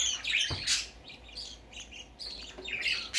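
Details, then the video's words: Young parakeet on its first outing, a rapid run of harsh, high chirps and short squawks, loud at the start and again at the end, with a soft thump near the beginning. "Baby parakeet first time go out"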